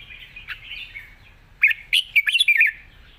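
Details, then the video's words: Red-whiskered bulbul in wild-style song with long phrases: quiet warbling opens, then a loud, rollicking string of about six quick, bubbly, rising-and-falling whistled notes. "เพลงป่าๆ สำนวนยาวปากเบา ฟังเพลิน#นกกรงหัวจุก"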